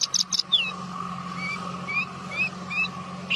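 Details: Branjangan bushlark song opening with quick high buzzy trill notes, then a series of thin rising whistled slurs spaced roughly every half second, with a constant low droning hum behind.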